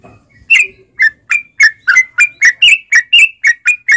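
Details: Yellow-vented bulbul (trucukan) in gacor style, a lure recording to make caged bulbuls sing: a run of about thirteen short, bright chirped notes, each sliding and buzzy, spaced roughly every quarter second after a quiet start.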